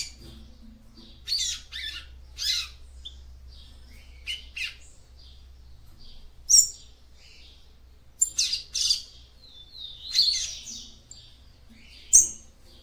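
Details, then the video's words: Female double-collared seedeater, her song meant to warm up the male: scattered high, scratchy chirps and brief buzzy bursts at irregular intervals, with quiet gaps and a low background hum. "CANTO DE FÊMEA PAPA CAPIM PARA ESQUENTAR SEU MACHO"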